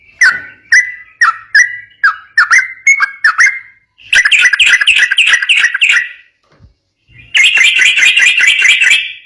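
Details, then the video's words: Lively ropel song of a yellow-vented bulbul for drawing answers from other bulbuls: spaced bubbly double notes first, then a dense rapid chattering trill, a brief silence, and another fast trill. "Masteran burung trucukan gacor ropel bikin nyaut"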